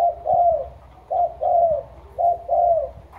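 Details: Spotted dove lure bird from Trà Vinh with a deep, loud "thổ sấm" voice: three repeated two-part coos, a short note followed by a longer falling one, about once a second.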